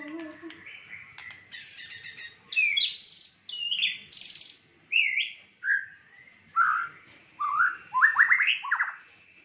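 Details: Fighter-type white-rumped shama with a rich 'isian' fill, delivering varied clear whistled phrases: buzzy high notes, rising and falling slurs and quick chirping runs, each burst lasting about a second, given steadily in a quiet setting.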